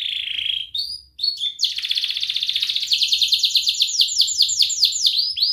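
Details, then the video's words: Training song to teach young canaries: a steady whistled tone, a few sharp chirps, then a long rolling trill of rapidly repeated notes that slows into distinct descending chips, in the ngerol and cuit cuit styles. "Kenari gacor NGERIK Cuit Cuit Ngerol nembak - Pancingan kenari paud belajar bunyi"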